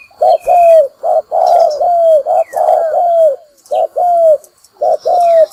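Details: Spotted dove lure call for trapping wild doves: a rapid series of low, hollow coos, short notes alternating with longer downward-sliding ones, nearly continuous, with faint chirps of other small birds behind.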